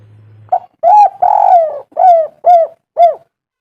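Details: Spotted dove lure coo for prompting other doves to sing. A brief hum fades as a short note starts the phrase, followed by a long coo and three clear, falling coos spaced evenly.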